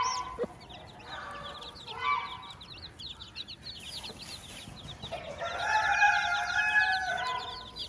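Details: Hen with her chicks on a farm: soft low clucks from the hen under a continuous stream of high, thin chick peeps, with a louder, longer harmonic call near the end.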